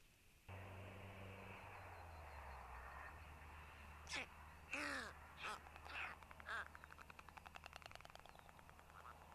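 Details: White storks at a nest in Tukums district, Latvia, on 31 May, feeding growing young: a few hoarse, arching calls, then a fast, dry bill rattle of about ten clicks a second, over a steady low hum and hiss.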